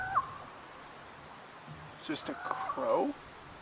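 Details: A crow, possibly a raven, on a canoe trip in Ontario's far north gives a brief clear note that drops in pitch, then after a pause a gurgling, knocking, throaty call lasting about a second; an unusual call for a crow.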